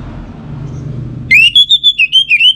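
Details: Orange-headed thrush lure song for training other song birds: a rising whistle runs into a fast string of clear, evenly pulsed whistled notes, about eight in a second, over a low background rumble.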